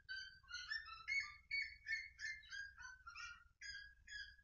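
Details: Red-legged seriema singing a rapid run of strident yelps, about two and a half per second. The notes are harsh and rise then fall, in a loud, clear series with little background noise.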